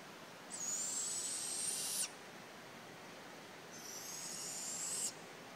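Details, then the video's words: Barn owls calling in the night, giving two drawn-out rasping screeches about a second and a half long, each slightly rising and ending abruptly, separated by a pause with only faint background hiss. "Barn Owls Calling in the Night"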